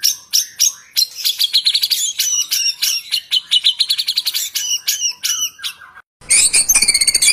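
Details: White-rumped shama in varied, energetic song: a loud mix of high whistles, chattering trills and quick note clusters, a brief pause, then a rich, ringing burst.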